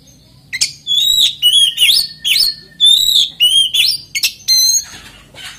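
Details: Song of an oriental magpie-robin meant to make other magpie-robins start singing: a continuous run of clear whistled phrases mixed with harsh buzzy notes, one phrase after another with little pause.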